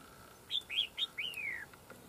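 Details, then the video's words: Red-whiskered bulbul answering a decoy during fight-trapping, where a fierce wild bird comes in fast over territory: three short, bright, looping whistles, then a longer note that slides smoothly downward, over a faint steady hum. "Bẫy Đấu Chào Mào"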